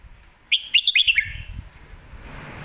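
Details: Red-whiskered bulbul giving a lak wai or mae bot style song: a brisk burst of five or six liquid, up-and-down whistles ending in a falling slur. Low rumbling background noise follows.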